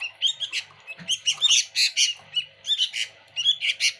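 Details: Sooty-headed bulbul singing energetically with a full, noisy fill-in of notes: rapid bright chirps and twittering bursts tumble over one another without pause.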